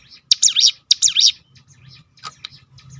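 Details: Two quick, high, wavering chirps from a Crested honeyeater (ciblek gunung) in its 'tembakan' style, used to lure other birds into singing, followed by soft scattered ticks and a low hum.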